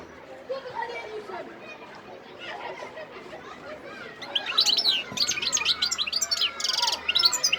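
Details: Sidi Bel Abbes, December 2021: a wild goldfinch's song starts soft and murmuring, then swells after a few seconds into loud, tumbling twitters and buzzy trills.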